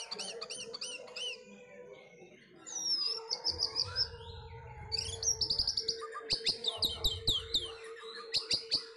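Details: Caged pet Orange-headed thrush before a songbird contest sings varied phrases: repeated high slurred notes, a rising whistle, then fast bursts of mimicry-like chips, with a steady low hum and some rumbling.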